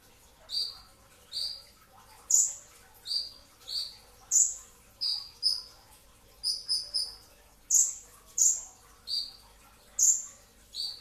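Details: Brown-throated sunbird in full dense '2tak' song around sahur before dawn: some eighteen shrill, high notes mixing lower chips with sharper top notes, often in quick pairs, nearly continuous.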